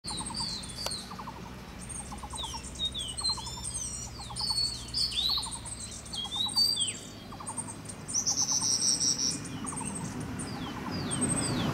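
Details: Black-throated tits hopping rapidly up and down in a tree on Da-shue Mountain, Taichung, Taiwan, 26 April 2015: thin, very high calls and short overlapping twitters from several birds, with a lower, rapid clicking series repeating in the background.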